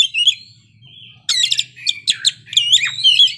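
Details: Oriental magpie-robin (kacer) singing continuously and showing off its repertoire of filler phrases: bright, slurred whistles and a burst of rapid, buzzy, stacked notes, with short silent gaps between phrases, in a quiet indoor setting.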